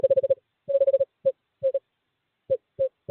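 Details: In courting season, a male screech owl calls a female toward an owl box, February 2023: quick bursts of five low hoots, then single and paired hoots spaced irregularly.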